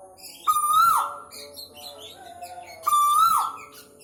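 A male Asian koel gives two loud, clear, rising whistled calls about two and a half seconds apart, against a quiet background.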